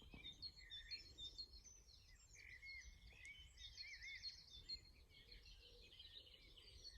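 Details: A Common Linnet's quick twittering song of short chirps and thin trills runs throughout at a lake near a railway line, with other small birds chattering and a low outdoor rumble beneath.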